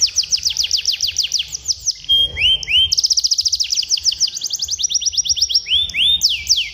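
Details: Rolling canary song meant to tutor young birds: rapid high repeated-note trills, a brief pause near two seconds with rising swept notes, then a very fast rattling roll and further sweeping trills, faint low hum beneath.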